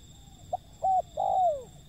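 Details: Wild zebra dove giving a brief clipped note, then two clear mellow coos. The second coo is longer and drawn out, falling in pitch at the end, over a low hiss.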